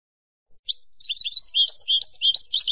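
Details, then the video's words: European goldfinch singing for silvestrismo, the Spanish tradition of keeping wild finches as songbirds: two short introductory notes, then a fast continuous run of bright, twittering, slurred notes. "CD DE JILGUERO Nº 7"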